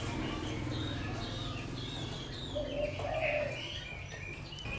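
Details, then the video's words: Caged Chinese hwamei from Lang Son, eight months in a cage, giving scattered whistled notes and short slurred phrases, strongest near the end, against a constant low background hum. "Mi tuyển lạng sơn, hót hay"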